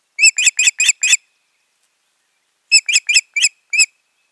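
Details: At their nest on 14 June 2019, a pair of ospreys whose breeding that year had failed give loud, clear whistled chirps in two bursts of five notes each, separated by about a second and a half of silence.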